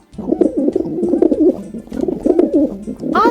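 A pigeon gives soft, low, rolling coos that run together in a steady bubbling stream, and a person's voice starts up at the very end.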